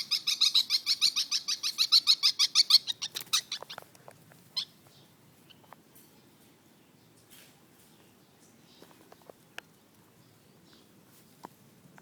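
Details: Pet lovebirds, territorial and hostile toward other birds: a fast series of harsh, nasal, chattering calls, about five per second for three seconds, then fading into scattered clicks and light taps.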